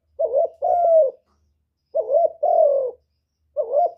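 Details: Spotted dove call for stimulating birds: two full two-note phrases and the start of a third, a quick wavering coo then a sustained hollow coo, repeated about every one and a half seconds.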